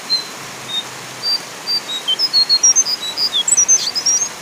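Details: Horsfield's babbler, brown form, giving a lively run of short high thin whistled notes, about twenty in quick succession, varying slightly in pitch, over a constant rain-like hiss.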